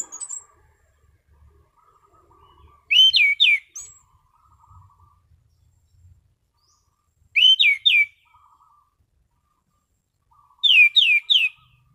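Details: Three short bursts of loud, sharply falling whistles about four seconds apart, sung by an orange-sided thrush in relaxed, clear 'ngeplong' style; soft low twittering from another bird and faint rumbling between bursts.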